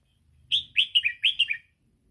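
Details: A single 'sai ble' phrase from a red-whiskered bulbul, sung to train young birds: six clear, chirpy notes in under a second and a half, the later ones sliding lower, over a soft low murmur.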